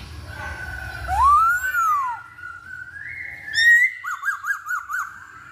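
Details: Masked laughingthrush lure song to provoke singing: an arched, rising-then-falling whistle, level whistled notes, a brief rich note, then five quick zigzagging notes in a row.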